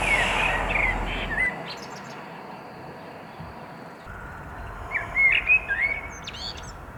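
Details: Common Blackbird singing in the city of Neuchâtel during lockdown, a species heard mornings and evenings from prominent perches: two mellow, fluted warbling phrases, each ending in thin, high twittering notes, over a steady hiss of background noise.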